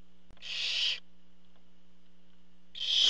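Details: Barn owl at its nest while the father delivers food: one broad, breathy half-second screech, a pause of nearly two seconds, then a second harsh hiss starting at the end.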